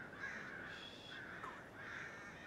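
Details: Flock of crows squawking in an oak tree outside a house, 12/11/2017; three harsh, hoarse caws in steady succession over low background hiss.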